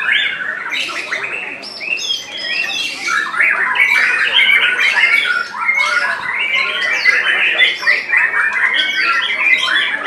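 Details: Caged white-rumped shama competing at a Semarang contest on 3 July 2022, delivering ten seconds of harsh squawks, chatters and sharp whistles in quick bursts, many birds singing at once.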